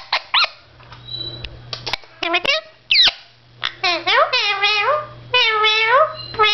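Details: Male pet Indian ringneck parakeet, blue, talking to his reflection. Scattered clicks and short squeaks lead into longer, high, warbling speech-like phrases with sliding pitch.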